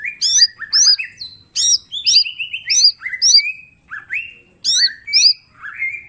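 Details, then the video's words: Green leafbird (mini) in full vigorous song used as master training material: dense runs of high curling chirps mixed with stepped and rising whistles, packed bursts with short pauses, clean background. "Cucak ijo mini gacor full tembakan bongkar materi"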